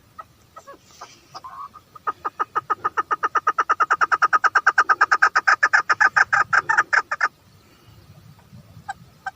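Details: Female chukar partridge calling: a long, fast run of about forty harsh, clucking notes that swell in loudness and hold steady for roughly five seconds, then stop abruptly. A few scattered single notes come before and after the run.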